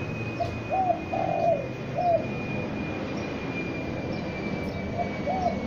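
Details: Young spotted dove used as a lure, calling: a four-note low coo phrase with one drawn-out note, then another starting, half-buried in loud broadband noise and a steady hum.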